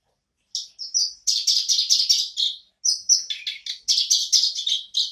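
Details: A black-browed barbet resumes singing after a short silence, giving a few piping notes and then dense, rapid chattering bursts of high notes, twice in a row.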